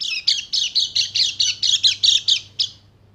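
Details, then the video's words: Bali white-eye, described as a female used to stimulate males, giving a run of about eleven rapid buzzy high chirps, roughly four per second, each with a bright trilled texture, then silence; a faint low hum underneath. "PANCINGAN PLECI MACET BUNYI JADI EMOSI DAN GACOR"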